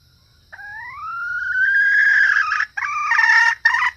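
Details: Hen red junglefowl call for luring males and other females: a long rising harmonic note swelling in loudness, then harsher broken syllables in short bursts.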